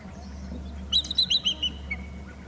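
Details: Bald eagle at a Hornby Island nest territory, having flown up to the top of the babysitting tree, utters one quick run of six or seven high, squeaky, stuttering notes that fade at the end, over a low steady hum.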